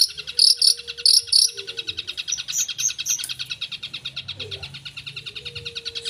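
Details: Long-tailed shrike singing a full, varied song: a few loud, sharp high notes in pairs, then softer whistled chips over a steady rapid trilling buzz with a faint low hum.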